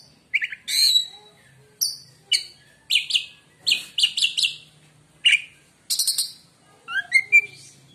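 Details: Song of a white-rumped shama, described as making rival shamas fall quiet: short bursts of harsh, buzzy and whistled notes separated by brief pauses, some phrases sliding downward, over a soft low hum.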